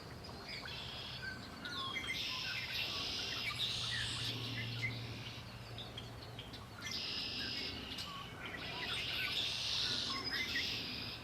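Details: Chorus of birds singing near Lake Erie, high trilling bursts coming and going in long waves, with a steady low hum running underneath for several seconds.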